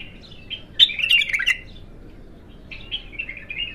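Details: Bulbul called Abtar locally, untrained, in its first song session: an energetic burst of warbled whistles with clicky accents, a brief gap, then softer repeated slurred whistles.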